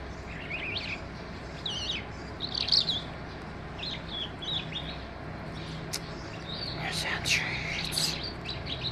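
A skylark pours out a continuous, high, twittering warble of rapid chirps and trills, over a steady low hum and faint background murmur.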